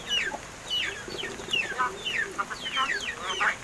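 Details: Hand-reared mynas, about seven months old, give a brisk series of downslurred squeaky chirps, nearly two per second. Some notes are buzzy and wavering, over a faint low hum.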